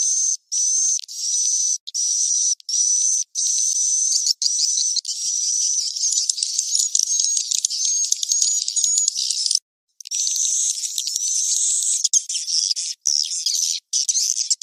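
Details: Swiftlet sleeping call meant to attract birds, taken from a cave: a dense, sizzling stream of high buzzy notes with a faint whistled line, broken by short gaps, growing more jumbled and layered after a brief pause.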